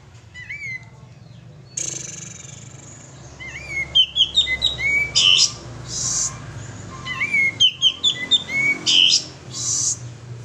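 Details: Male sooty-headed bulbul lure recording: a rising whistle, then two phrases of quick slurred notes falling in pitch, each ending with a bright buzzy burst, faint hum underneath.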